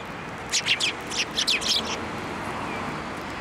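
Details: Sparrows flying onto a hand for food at a Tenmangu shrine on 1 March 2024, giving bursts of short, high chirps in quick clusters over constant background rumble.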